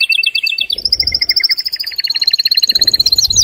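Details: Loud, agitated male canary song intended to stimulate mating, a dense rapid series of chirps shifting between trill types, with low rumbling background noise at the start and end.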